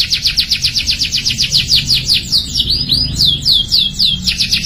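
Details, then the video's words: Young canary learning to sing: a fast series of repeated down-slurred whistled notes, about four per second, slowing into looping swooping whistles before the rapid repeats return; faint low background hum. "KENARI PAUD BELAJAR BUNYI JADI GACOR | CANARY SINGING"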